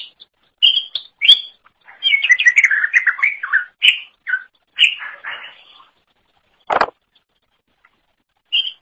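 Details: Greater green leafbird in full song, used to train other songbirds: bright whistles opening into a chattering, warbled run of fast notes, falling silent after six seconds apart from one loud thump and a final whistle.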